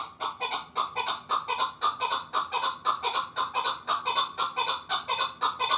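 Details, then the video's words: Chukar partridge from the Pamirs giving a loud, steady series of clucking notes, about two per second, each a short harsh chuck with even rhythm throughout. "Кабки Помир"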